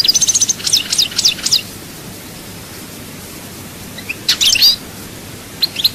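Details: European goldfinch from Souk Ahras, Chaayba, Algeria: a brief series of high twittered notes at the start, then long silence broken by a short chirpy burst and a final pair of notes.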